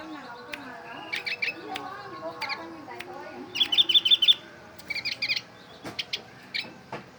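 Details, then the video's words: Bulbul-like song from an Oriental white-eye: scattered high chirps building into a quick, even trill of sharp notes, then short doubled chirps and isolated ticks. "Burung pleci berbunyi kutilang"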